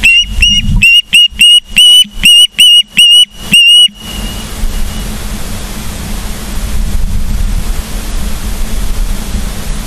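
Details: Osprey at a nest in Charlo, Montana, on a September evening, a loud series of about nine piercing whistled calls at a fast regular pace, then steady wind-like rushing noise.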